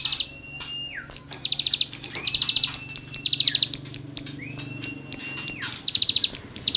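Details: Cigun singing 'gesekan' material for songbird tutoring: each long flat whistle slides downward, then a burst of rapid high buzzy notes follows, the pattern repeating about three times.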